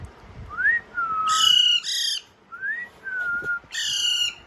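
An Alexandrine parakeet gives short rising whistles between loud, harsh, raspy squawks, three bursts in about four seconds.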